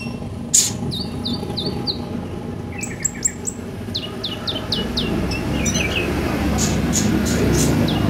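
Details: Purple-throated sunbird sounds used to coax caged birds into singing; rapid strings of thin, high, down-slurred chirps, some lower twittering, and a sharp click, over a steady low hum.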